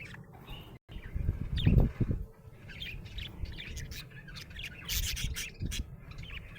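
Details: Happy budgerigar chirping in bursts of squeaky warbles that grow busier toward the end, with a brief dropout near the start and loud low thumps.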